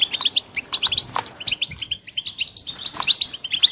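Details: Goldfinch chicks giving sharp high chirps in quick clusters, a brief lull near the middle, then another burst of twittering.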